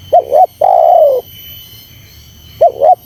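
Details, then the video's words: Spotted dove calling to lure and provoke wild birds: a quick double note and a long falling coo, then the double note begins again after a two-second pause; steady faint hum beneath. "Suara Terkukur Menekan Rapat Lawan Pemancing EMOSI Terkukur liar"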